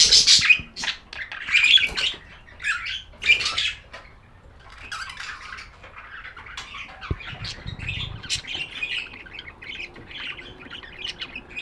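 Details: Budgerigar chatter: a few loud squawky chirps in the first seconds, then a long softer run of fast twittering notes with a low thump partway through.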